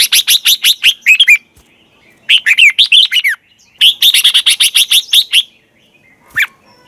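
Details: Red-whiskered bulbul competition-style song used to provoke other birds to sing. Three long runs of fast, bubbling whistled notes, each lasting over a second, are separated by brief pauses, ending with a single sharp note.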